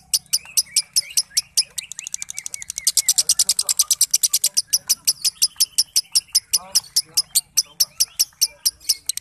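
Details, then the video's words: Lovebird singing in the long chattering style called ngekek konslet, a fast, even stream of sharp, dry clicks and chips, several per second for over nine seconds, with squeaky twittering mixed in. "Lovebird Ngekek Konslet"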